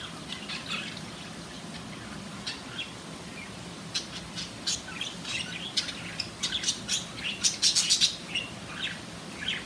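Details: Two budgerigars of different colours give rapid, scratchy chirps and squeaky warbles in a busy, irregular stream.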